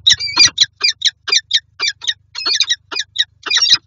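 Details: Peregrine falcons, a pair together in their nest box in Lublin, Poland, in January 2023, giving dense rapid harsh chittering calls in clustered bursts, loud and close.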